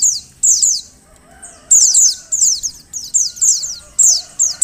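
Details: Thin, high, descending call notes of a female Oriental white-eye meant to make males sing, uttered in rapid groups, with a pause early on before steady bursts resume.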